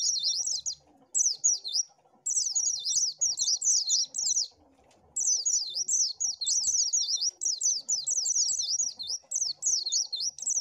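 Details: Oriental white-eye singing in a lure recording, a long high-pitched chattering warble of quick up-and-down slurred notes, delivered in runs of several seconds with short gaps between them.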